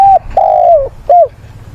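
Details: Spotted dove used as a decoy, singing to provoke rivals and call mates: one phrase of a short coo, a long level croo sliding down at the end, then a brief downturned closing note.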